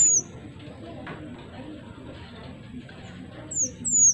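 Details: A pied triller, in a recording used to lure flocking birds, gives three thin, very high downslurred whistles, one at the start and two close together near the end, over a soft background hiss.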